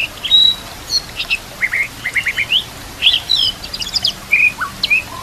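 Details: White-rumped shama master song for training: sharp high chirps and short whistles in rapid bursts, with a clear pause partway through, over faint water sounds.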